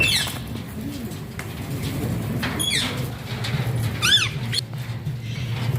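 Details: A talking Alexandrine (ringneck) parakeet mutters low, speech-like chatter, broken every second or so by a few sharp, wavering shrieks that rise and fall quickly.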